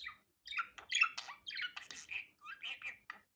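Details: Budgerigar chattering naturally, unedited: dense, fast warbling of squeaky whistles, raspy buzzes and chirps tumbling over one another with hardly a pause.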